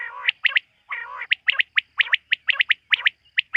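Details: Night-time quail calls, a fast run of bright chirps in pairs and triples after two longer, harsher rasping notes, coming every few tenths of a second against a silent background.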